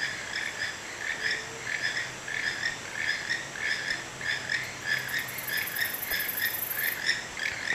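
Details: Wild toucans near a porch in Santa Fe, Panama, giving a steady run of frog-like croaks about one and a half per second, with constant insect buzzing in the background.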